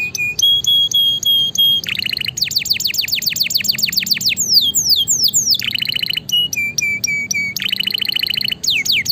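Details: Vigorous canary song for masteran and stimulation of reluctant singers: long steady whistled notes alternating with fast buzzy trills and bursts of downward-slurred notes, loud and varied throughout.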